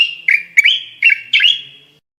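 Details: Bulbul song played for teaching birds to sing: a clear, whistled phrase of four bright notes with quick upslurred flourishes over a steady sustained tone, fading out after two seconds.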